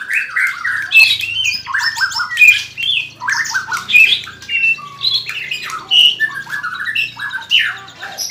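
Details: Greater green leafbird giving harsh, squawky chattering phrases mixed with short whistled pips, repeated in uneven bursts over a faint low hum.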